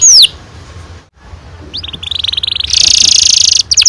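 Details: Canary song fragment from a long rolling performance used to coax young canaries to sing: one high downslurred note, a pause, then a rising run of quick notes ending in a loud, sustained buzzy trill.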